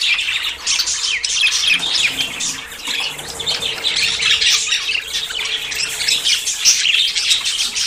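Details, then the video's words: A flock of budgerigars giving courtship sounds before breeding, chattering nonstop with high, scratchy warbles, chirps and squawks overlapping throughout, over a faint steady hum; played to encourage pet budgerigars to mate. "CON ESTE AUDIO TUS PERIQUITOS SE APAREARÁN"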